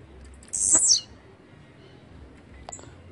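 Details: Blue-black grassquit (chirrio, pirra, tiziu or volantina) delivering one brief, very high buzzy song burst that drops quickly in pitch, followed by a faint short note; otherwise quiet.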